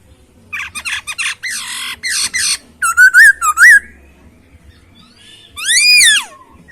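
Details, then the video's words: Masked laughingthrush in a varied song burst: a run of harsh, buzzy squawks, then a few clear wavering whistles, and after a pause a strong arched whistle that rises and falls. "Poksay Hongkong isian suara jernih dan mewah"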